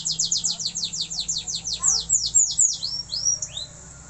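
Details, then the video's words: Canary learning to sing vigorously: a rapid string of high descending chirps, then a few longer arching whistles before falling quiet. "suara burung kenari belajar gacor"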